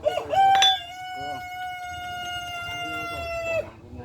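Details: Rooster giving a long, sharp, cricket-like crow; a brief rising start, then one steady drawn-out tone held about three seconds before cutting off.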